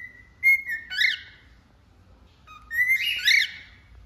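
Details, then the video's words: A cockatiel sings a short held whistle, then a rough rising squawk; after a quiet gap it repeats with a low note leading into a steady whistle and another harsh squawk. "Calopsita Cantando"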